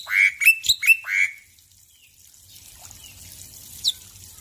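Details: Male black-winged myna in lively morning song: a quick run of five harsh, buzzy notes sliding around a mid pitch, then near silence with one faint high note later.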